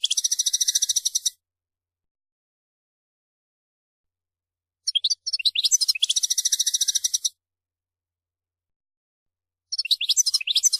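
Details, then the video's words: European goldfinch song comes in three bursts separated by pauses of several seconds. Each burst mixes quick slurred twitters with a sustained rapid pulsing trill, high and metallic, about three pulses per second. No other sounds are heard. "ابداع الحسون ملك الطيور ينفجر في عرض للقوة والمهارة الحان تغريد مجنونة"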